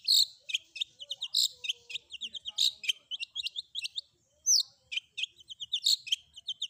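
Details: Long-tailed shrike combination filler song: dense bursts of high chattering notes and quick rattling phrases, broken by a brief pause and a sharp upslurred whistle before the chatter resumes.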